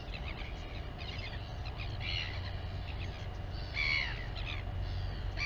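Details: Royal albatross mother feeding her chick at the Taiaroa Head colony near Dunedin, New Zealand: bursts of harsh, harmonic squealing calls in short clusters, one louder drawn-out cry near the end, over steady low wind rumble.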